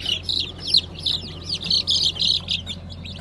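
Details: A brood of newly hatched Brahma chicks in light, gold and blue varieties, hatched 20 April 2020, calls in rapid, loud, high cheeps that run almost continuously and overlap, over a faint hum.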